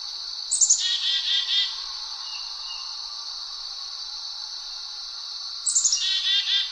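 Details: Black-capped chickadee giving two bouts of its chick-a-dee call: a few high, sliding notes followed by a rough, buzzy dee-dee-dee, over a steady high hiss.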